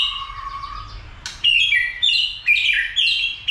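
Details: Shama roused to sing for combat; a steady low whistle leads into loud bursts of high warbling phrases about every half second.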